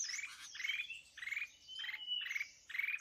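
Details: Red-whiskered bulbul, a mountain bird, during trapping with a decoy bird: four or five coarse buzzy bursts about half a second apart, with a faint steady whistle between them.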